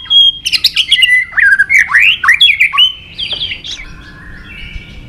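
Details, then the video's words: White-rumped shama fighting song meant to stir a bird to sing hard: a steady whistle leading into a fast tumbling series of varied slurred notes, then quieter level whistles. "Luyện giọng chòe Lửa hót đấu"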